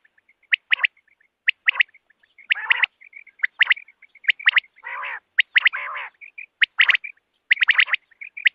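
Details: Common quail heard in the morning, Pakistan: a dense run of sharp whistled double and triple notes mixed with softer short chirps and a few rougher buzzy bursts.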